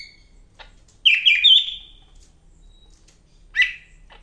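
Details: A Greater green leafbird (Medan form) singing vigorously gives a loud burst of rich, sliding whistled notes, a quick trio in a second, then one more phrase after a pause.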